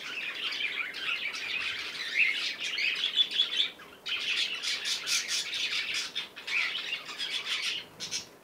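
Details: Baby cockatiel at play: steady high scratchy chirping and soft twittering in bursts, continuous for most of the stretch with a brief pause.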